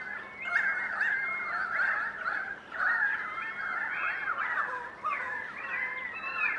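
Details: About 100 currawongs in a flock passing through Donvale in winter call to each other: loud ringing and honking notes overlap in a steady mid-pitched chorus, with brief lulls every couple of seconds.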